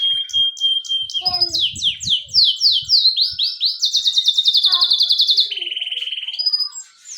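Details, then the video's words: Canary in full song, delivering a varied phrase: a steady high whistle, then quick repeated upward sweeps and a long rapid rolling trill, ending in a fast pulsed buzz; faint low thumps underneath. "ڈنڈا سٹارٹ کنریfull started canary"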